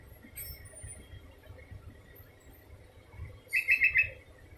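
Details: Sooty-headed bulbul heard near the end with one brisk phrase of four bright, rapid notes after a stretch of low rumbling background noise and faint high squeaks.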